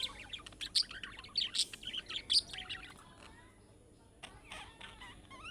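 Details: Budgerigar making young birds' calling-type sounds that set other budgerigars answering: bright chirps and twitters in the first half, then sparser soft notes.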